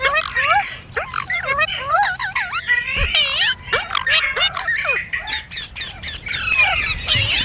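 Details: Green parrots keep up a steady chatter of curved, warbling squeaks and short squawks, layered over one another, with thinner high notes near the end.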